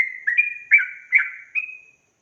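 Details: Sooty-headed bulbul singing in the lively ropel gacor style, used to provoke other bulbuls: a short phrase of four liquid, slurred whistled notes, each rising then falling, ending in a drawn-out higher whistle against a silent background.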